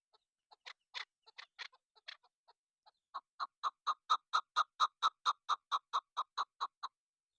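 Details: Female chukar partridge, a hunting lure bird, gives a few irregular harsh notes, then a steady series of loud clucks at about two per second that grows stronger and then eases off.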